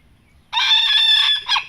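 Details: A young Thai bantam rooster, recorded in the evening, gives a quick, high, strained crow held level for under a second, then one short clipped final note; he has only just matured and his voice is not yet full.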